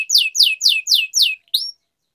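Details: Canary (kenari) song used to train other canaries: five loud sweeping downslurred notes in steady rhythm, then a single rising note.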